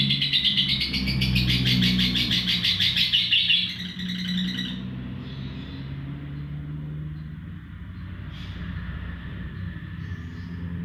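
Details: Extended ngekek trill of a lovebird, used to teach other birds: about four seconds of fast, dense high chattering that then stops, leaving low rumbling background noise and a faint later chirp.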